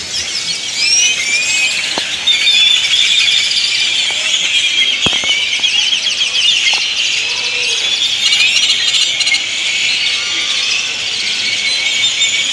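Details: A large flock of great-tailed grackles arriving at dusk to roost in Indian laurel trees in Granada, Nicaragua, makes a noisy, dense, continuous chorus of high, squeaky, whistled and creaking calls that overlap throughout.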